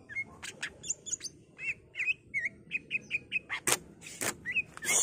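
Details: Greater green leafbird in energetic full song, mimicking other songbirds such as magpie-robin, laughingthrush and canary. Quick whistled and chirpy notes tumble over one another, with sharp clicking bursts and a faint background hiss.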